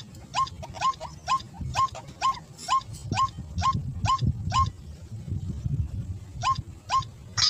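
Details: White-breasted waterhen lured in a rice field, giving a steady run of short, clipped, upturned notes about twice per second over a low background hum, with a short gap near the end.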